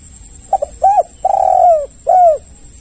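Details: One phrase from a spotted dove, played as a lure so other doves respond: quick paired notes, a short coo, a long vibrating coo drifting lower, then a closing downslurred coo over a constant shrill background tone.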